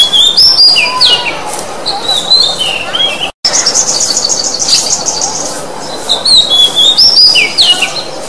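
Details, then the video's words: Oriental magpie-robin in full song, played to spur a silent bird into singing. Loud whistled phrases with sliding, stepped notes alternate with a bright rapid trill, broken once by a brief gap of silence. "KICAU BURUNG KACER Khusus Untuk PANCINGAN KACER MOGOK NGOCEH"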